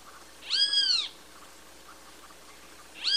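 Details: Great kiskadee (Pitangus sulphuratus), song.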